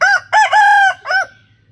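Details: Rooster crowing loudly: a short opening note, a rising harmonic syllable, a long steady drawn-out note, then a shorter falling final note, the whole crow lasting about a second and a quarter, with a faint low hum behind.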